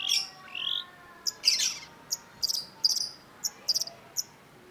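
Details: Long-tailed shrike, a lively singing cendet, gives high clipped notes and a short rising whistle, then a harsh burst followed by scattered sharp ticks spaced irregularly, over a faint steady background hiss.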